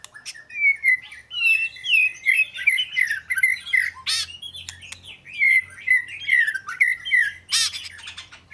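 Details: Oriental magpie-robin song, a rapid run of clear whistled notes and slurred chirps repeated about twice a second, with a few sharp clicks and a faint low hum behind.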